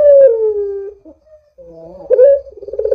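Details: Barbary dove used as a lure for other doves: the tail of a long falling coo, a quiet gap with soft low notes, then a rising note breaking into a rolling, pulsing coo.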